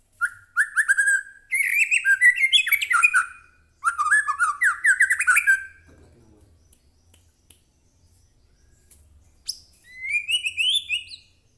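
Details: White-rumped shama song used to stir a caged bird into answering: rapid chattering and whistled phrases in three bursts, then near silence with faint low noise before a final rising whistled run.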